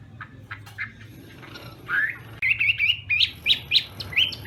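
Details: Chinese hwamei morning singing practice; faint scattered chirps at first, then a loud series of short ringing whistles repeated at a quick, uneven pace.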